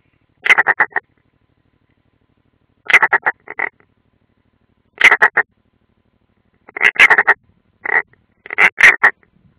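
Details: Unringed European roller at its nest, Ādaži training ground, 30 June 2016, on a live nest camera: clusters of four or five fast, harsh rasping notes, repeated every two to three seconds with silence between.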